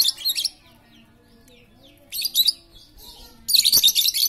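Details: Super chatty lovebird, played to lure silent lovebirds into fighter-style singing, gives three loud bursts of dense, scratchy, high-pitched chattering, separated by short pauses of faint background.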